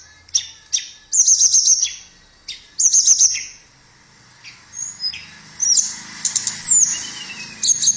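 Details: Persistently singing tledekan, a blue flycatcher, in a training recording: isolated sharp notes, then two bursts of rapid high jingling, followed by softer, scattered whistles and a faint descending trill.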